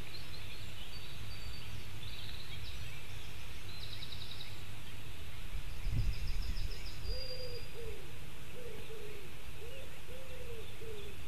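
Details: White-tailed eagle chick at a nest in Latvia, recorded by a nest webcam at 8:07 on 15 July 2018. After several seconds of low rumbling noise and a brief knock, a run of short arched squeals repeats about every 0.8 seconds.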